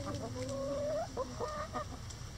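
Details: Chickens in a backyard run, pecking at a hanging cabbage ball given as coop enrichment; a drawn-out whining note rises slowly, followed by short chirpy clucks and soft pecking sounds.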